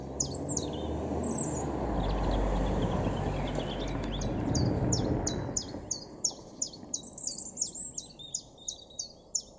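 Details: Common chiffchaff singing in a garden in Weener, East Frisia, northwest Germany, April 2023: steady chiff-chaff song of high notes about three a second over low wind or traffic rumble that fades midway.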